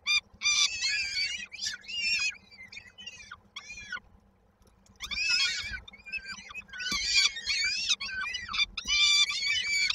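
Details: Peregrine falcon chicks in a nest in Koszalin, Poland, 19 May 2022, begging while awaiting the mother's return with food; loud harsh wailing cries in clustered bursts, a quiet gap midway, then renewed screaming, over faint hum.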